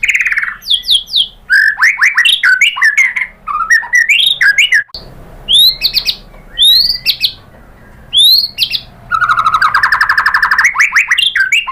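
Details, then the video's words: White-rumped shama lure song meant to make other shamas answer with their full repertoire: rapid varied phrases of rising and falling whistles, sharp chips and slurred notes, ending in a fast rattling series. "pancingan jitu !!! bikin MURAI BATU NYAUT BONGKAR MATERI TEMBAKAN ¦ PANCINGAN MURAI ¦ SHAMA BIRD"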